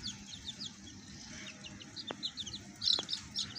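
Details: Baby chicks with a hen: faint, high, short peeps repeated quickly and irregularly throughout, growing slightly louder near the end, with two sharp clicks and soft background noise.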